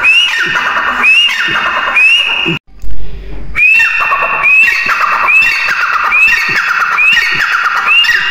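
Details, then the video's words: Grey francolin giving rhythmic, ringing upswept calls with harsh trailing notes, about one per second. A short gap with a low rumble interrupts the series early on before the calling resumes. "Teetar ki awaaz"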